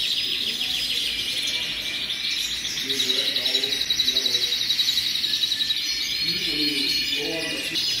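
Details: A chorus of hundreds of canaries: continuous high trilling and twittering overlaps throughout, rapid notes rippling, with faint lower voices now and then beneath the birds.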